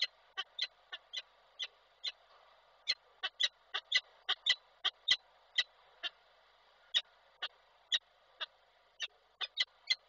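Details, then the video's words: Slightly wet female peregrine falcon calling the male at Koszalin, Poland, 7 August 2023; loud raspy notes in uneven bursts with short pauses, over a quiet background. "Nila trochę przemoczona woła samca"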